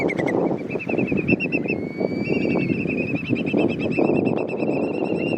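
A whimbrel gives its rapid rippling titter, a long run of quick, even whistled notes at a steady mid-high pitch, over a constant low rumble of wind or distant traffic.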